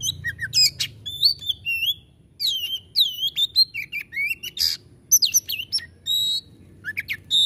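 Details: Oriental magpie-robin (kacer) delivering 'tembakan' shooting song: varied up-and-down whistled notes broken by short scratchy bursts. The phrases come quickly, with a brief pause near the start.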